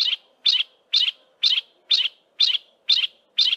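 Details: A lone yellow-breasted apalis, recorded in a thick wooded valley west of Grahamstown, calls unanswered by its mate with part of the duet: steady, loud, buzzy high notes repeated roughly twice per second.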